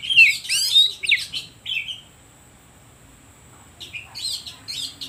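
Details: Oriental magpie-robin song used as a lure to provoke other birds: loud bursts of sharp, rapidly sliding whistles and harsh notes in the first two seconds, a pause with a faint steady high tone, then more abrupt chattering phrases.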